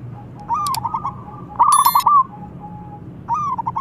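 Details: A local zebra dove gives loud, answer-provoking calls: three rippling trills of quick cooing notes, the middle one strongest, with faint clicks and a soft drawn-out note between phrases.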